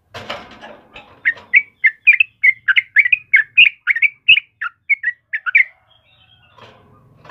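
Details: After an opening rustle, a yellow-vented bulbul pours out about fifteen quick, liquid whistled notes that rise and fall, then falls quiet with faint background noise.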